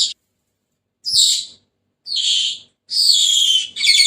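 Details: Senegal parrot squawking: a clipped opening note, then three loud, hoarse, drawn-out squawks roughly a second apart, the last running into a rattling buzz.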